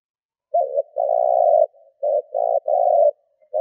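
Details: Kept spotted dove used as a decoy to draw in wild doves, cooing in thúc gù style: a quick hooted note then long rolling coos, repeated with short breaks, low and mellow, clean silent background.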